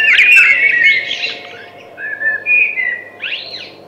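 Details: Thrush song opening with a loud, rapid twittering phrase, then softer slurred whistles and a final rising squeaky flourish.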